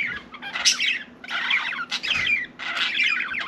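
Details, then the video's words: Pet budgie warbling indoors in four clear bursts of scratchy, squawky chatter, each about half a second long, over a faint low hum. "Budgie Sally Bird Wants to Talk"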